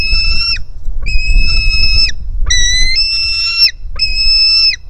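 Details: White-tailed eagle nestling begging, hungry, as it jumps to its mother at the nest on 4 July 2018, recorded on a live camera: four or five loud, flat, whistling screams, some with a rising start.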